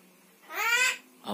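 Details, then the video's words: Talking Javan myna copying human words indoors: a single drawn-out raspy, vowel-like utterance, then a short second syllable. "Jalak kebo pandai bicara"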